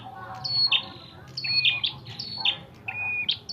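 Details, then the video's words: Fighting red-headed prinia giving bursts of sharp high chirps and short flat whistles, several calls in under four seconds, with a faint low hum beneath. "suara burung prenjak kepala merah tarung"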